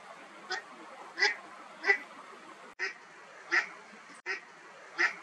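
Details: Eastern spot-billed duck swimming along gives short, nasal quacks, about seven in five seconds at an uneven pace, over a faint steady hiss; owner suspects a contact call, unsure whether song or call.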